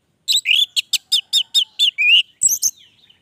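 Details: Orange-headed thrush singing vigorously ('gacor'), a long-running performance: a rapid series of bright, slurred whistled and chattering notes about every quarter second, closing with a brief higher twittering phrase.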